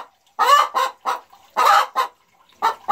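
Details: Boris Brown hen calling proudly right after laying her first-ever egg, recorded 4 December 2016: loud, harsh, nasal cackling notes in uneven bursts, roughly one per second, with brief silent gaps.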